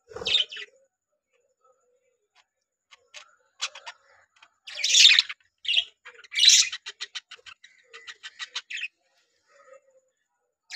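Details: Budgerigars from three caged pairs settling in to breed: bursts of bright, scratchy chirps and warbling chatter, with quick rattling clicks in between and short quiet gaps.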